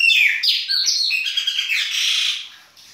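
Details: Baianinho-style winter song of a Chopi blackbird: a rich, rapid stream of bright whistles, slurs and twittering notes without pause, tapering off at the end.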